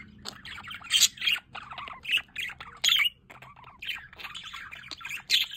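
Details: Budgerigars in an aviary with a solar water fountain give harsh, grating squawks in loud bursts, with busy chattering warbles between them.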